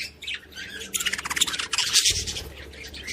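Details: Budgerigars chattering to stimulate other budgies, a short stretch of busy, scratchy warbling with squeaky notes, building louder toward the middle and end.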